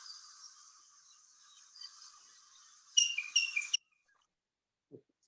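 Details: In Cuba, where it is very common, a Cuban blackbird gives a short run of loud, clear two-part whistled notes, likened to a titmouse's peter-peter, after a faint high hiss.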